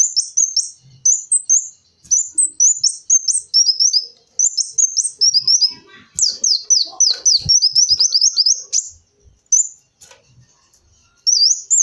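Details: Kolibri wulung sunbird singing a long, fast stream of piercing, downslurred high whistles in tight clusters, with a few clicks and brief gaps; recording meant for attracting the species.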